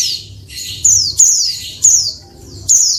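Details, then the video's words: Calls of a female Oriental white-eye used to stir males into answering and singing: shrill descending chirps, some paired, about five in three seconds, with a soft low background hum. "SUARA PLECI BETINA RIBUT BIKIN JANTAN LANGSUNG NGALAS"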